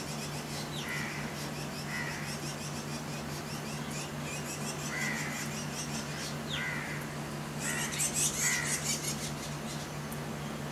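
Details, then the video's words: Chestnut-tailed starling at Goa University, 15 January 2016, giving harsh, squawky calls in short bursts, with a high, buzzy chatter of other small birds and a steady low hum behind. "Chestnut Tailed Starling"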